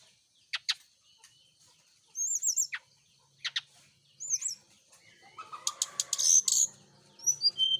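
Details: Morning song of a brown-chested jungle flycatcher set out in the dew to encourage frequent singing: scattered sharp ticks, high curling looped whistles, then a dense rapid chatter of chirps and slurred notes.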